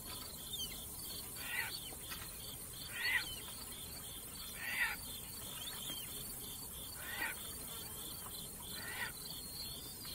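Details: Flying Caspian tern uttering five spaced, rasping calls, each a short harsh croak about two seconds apart, over a continuous high insect hum and faint wind.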